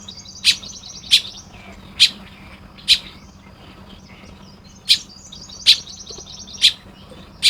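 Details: Morning chirping from a nest-building Baya weaver in Lopburi, Thailand, recorded 1 May 2026: short, bright, high chirps at uneven intervals over a faint, steady low hum.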